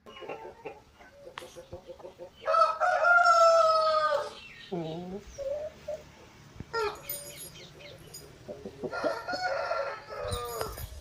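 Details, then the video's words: Roosters and hens on a chicken farm: long, drawn-out harmonic calls in two loud bursts, with shorter clucks and squawks between them against a quiet background. "Moment of the sound of a chicken farm, roosters and hens making noise"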